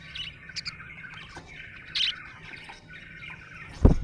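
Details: Happy budgie giving a soft, scratchy warble with a few brighter chirps, ending in a loud low thump.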